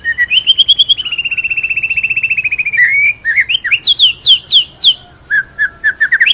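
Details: White-rumped shama in a murai batu master recording, ngerol nembak style: a long, even, whistled note trill for nearly three seconds, then sweeping, downslurred whistles and sharp clipped notes.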